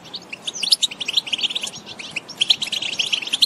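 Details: European goldfinches in the countryside, several birds giving trills and calls; fast, dense twittering of bright, high chirps with tinkling metallic notes, overlapping continuously with no pause.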